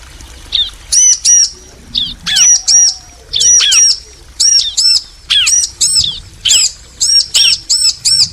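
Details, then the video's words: Bar-winged prinia female and male exchange calls in training audio for caged birds. Paired high looping chirps come in clusters separated by short gaps, with occasional lower downslurred notes between them. "Ciblek betina & Jantan saling nyaut"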